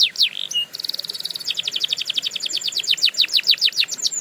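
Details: Canary song used for training canaries: rapid high rolls of repeated notes, a steady buzzy trill, then a long run of sharp descending whistles, about eight per second.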